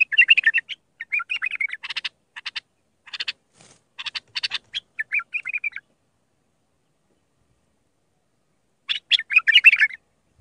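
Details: Tutoring song of an Iraqi bulbul in Mandali style: chattering, warbling phrases and clicks for about six seconds, a long silence, then one more rich gurgling phrase.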